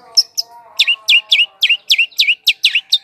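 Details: Long-tailed shrike calls used to lure wild birds: two high notes, then a regular string of about ten down-slurred, slightly rasping notes, roughly three per second, with a faint droning hum behind.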